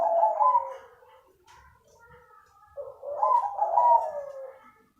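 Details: A crossbred zebra dove gives two low, rolling coo phrases a few seconds apart, each mellow and slightly quavering, with faint softer notes between them.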